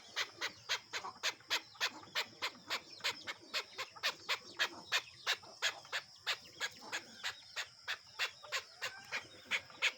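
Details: Free-roaming, tame desi chukar cock let loose outside gives a rhythmic chain of sharp, chuckling notes, about three each second, evenly repeated throughout, with a faint rural background.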